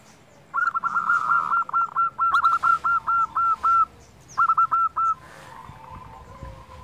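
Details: Local zebra dove singing persistently, used to stimulate other doves to sing: a fast run of short hooked coo notes near one pitch, then a pause and a second shorter burst.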